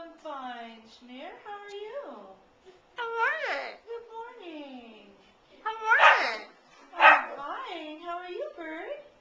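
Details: Pet parrot speaking in a cheerful, old-timey style, including the phrase "How are ye": short speech-like phrases with rising and falling inflections, separated by brief pauses, indoors and without other sounds.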